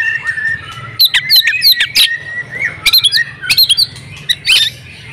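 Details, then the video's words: Oriental magpie-robin female in breeding condition, played to rouse silent males: a drawn buzzy note, clusters of short sharp whistles and clicks, and brief wavering phrases over a steady low hum. "pancingan kacer jitu "AUTO" kacer bisu langsung gacor ngobra \\ kacer betina birahi"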